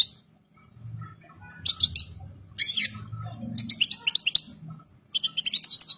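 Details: European goldfinch, fully moulted and ready for breeding, starts with scattered high chirps, then rapid tinkling twitters build toward the end. A faint low hum sits underneath.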